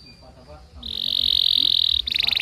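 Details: Canary song from a tutor recording meant to train young canaries, in the long chattering "cuit cuit" style: a quiet start, then a high, steady whistle held about a second, followed by a burst of rapid pulsed notes.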